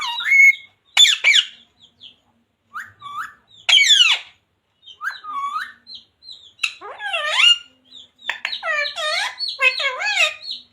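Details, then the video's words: Pet green parrot, a talking bird, speaking words such as "Radhe Radhe" and "Sita Ram": a run of squeaky, speech-like syllables and whistled sliding phrases, some repeated in quick succession, with short pauses between. "Parrot Talking Radhe Radhe || राधे-राधे बोलने वाला मिट्ठू || Parrot Talking Sita ram"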